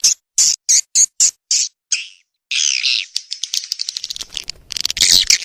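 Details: Swiftlet lure sound for edible-nest swiftlets: a quick series of short high buzzy chirps, then a longer rasping twitter, and finally rapid clicking and chattering.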